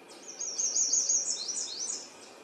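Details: Wild yellow warbler singing: a quick run of high, thin, sweet slurred notes that rise and fall in rapid succession for about two seconds, over a faint background hiss.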